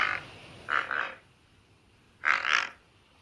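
American white pelican giving harsh, grinding grunts: one short burst, a quick pair, then a louder double grunt after a pause, with quiet background hiss.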